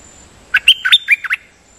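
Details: Short bright song phrase from a nok dok taeng, a Thai decoy singer, with about six quick whistled notes that rise and fall, then stop abruptly; little else audible.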